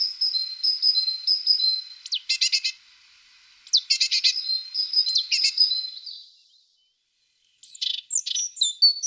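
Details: A tit sings thin, steady high notes broken by harsh, churring bursts. After a short silence come sharp, high chirps.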